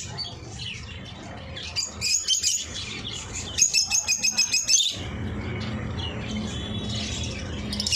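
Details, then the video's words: Eye-ring lovebirds: two bursts of shrill, rapid chattering chirps, about eight notes a second, with a low steady hum underneath toward the end. "ring eye love bird sound"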